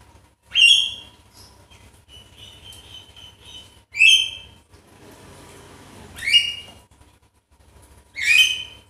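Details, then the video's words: Javan myna sounds played as a lure to make a lazy myna sing. Four loud, rasping rising bursts come roughly every two seconds, with softer whistled notes and faint background noise between them. "Pancingan sakti jalak kebo yang malas bunyi langsung emosi"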